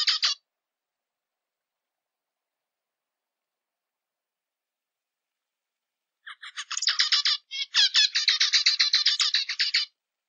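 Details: Zebra finch singing after a long silence: one short note at the start, then a fast, buzzy, chattering phrase of repeated syllables lasting about four seconds.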